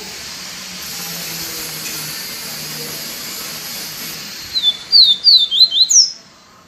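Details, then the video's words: Steady hiss at first, then a yellow-bellied seedeater bursts into its viviti song: about six rapid, high, sliding whistles, ending on a louder downslurred note. "papacapim PEITO AMARELO canto viviti PURO"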